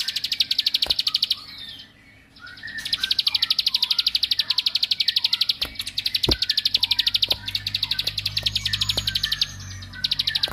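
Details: A bar-winged prinia sings to rile up other prinias, giving long rapid trills of high, dry notes. A short silent break interrupts them, and softer chirps from other birds can be heard underneath.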